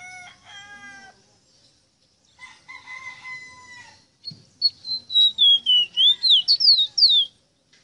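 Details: Bird locally called rosita singing: after softer harmonic calls, a fast run of loud, clear whistled notes sweeping up and down, repeated about three times a second.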